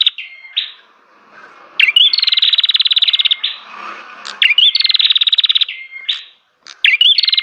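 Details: Song of a bar-winged prinia: quick rattling trills of evenly spaced pulses, each introduced by an abrupt rising chip, about two full bursts plus the start of a third, with short level whistles in between.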